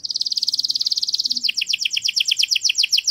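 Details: Canary singing a flawless tutor song meant to teach chicks: a fast, even trill of high notes, then a switch near halfway to a quicker run of doubled, descending chirps, all high-pitched and clean.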